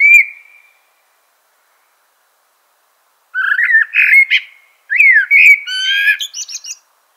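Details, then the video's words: A common blackbird gives one short whistled note, pauses, then sings a run of rich, looping fluted phrases that finish in a squeaky, high-pitched twitter. No other sounds. "Natural Birds Voice, Bird Natural Sound.Common Blackbird."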